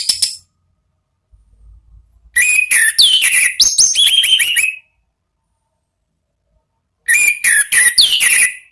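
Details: Orange-headed thrush giving ngeplong-style song used to provoke other thrushes into singing: brief opening note, then pause, two bursts of rapid sharp chirps and high falling whistles separated by silence, loud and clear.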